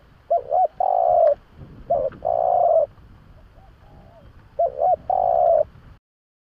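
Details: Spotted dove cooing, played as a lure to attract doves: repeated phrases of a quick double hoot and a long steady low coo, about two seconds apart, over a quiet rustle with faint chirping of another bird.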